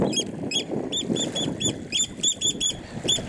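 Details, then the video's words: Close-up Eurasian oystercatcher chicks, RSPB Snettisham, Norfolk, UK, 19 July 2016, giving a quick series of sharp, high piping peeps, about three per second, over a soft low hiss. "Oystercatcher chicks close up"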